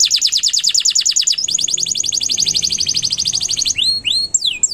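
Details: Long, lively canary song meant as master audio for tutoring young birds: dense rapid trilled phrases that shift to a slightly lower roll midway, ending in a few sharp upward and downward swept whistles.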